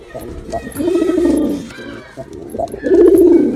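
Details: Male pigeon performing, giving two low rolling coos of about a second each, the second louder, with faint background clatter.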